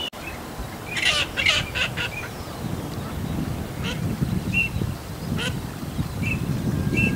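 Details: Eurasian teal, male and female calling: a burst of harsh, broad rasping notes early on, then a few short, clear whistled notes spaced apart near the end, over constant low rumbling background noise.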